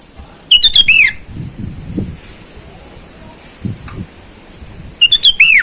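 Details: Sooty-headed bulbul in the wild, calling rivals, a lure sound for wild birds: two short bubbly whistled phrases about four seconds apart, each ending in a downward-slurred note, with soft low rustling between.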